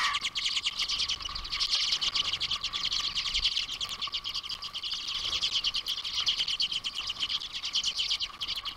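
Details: Common redpolls at a backyard feeder in boreal Ontario, recorded by a live feeder camera; dense, overlapping high chirps and twitters from several birds run without pause over a steady low electrical hum.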